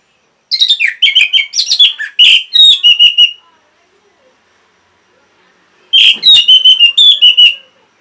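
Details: Orange-headed thrush used to train caged birds to sing, delivering two rapid bursts of varied, clear whistled and chattering notes separated by a few seconds of silence.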